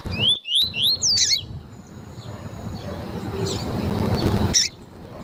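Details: Lined seedeater of the tui-tui fibra type, with female calls played to warm up and train a male; three quick rising whistled notes open, then a brief buzzy, clicking phrase, followed by steady low rumbling background noise and one faint high note.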